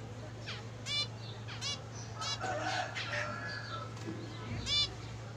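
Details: Busy run of zebra finch sounds: several short nasal honking calls in quick succession, mixed with softer warbling notes around the middle, all over a steady low hum.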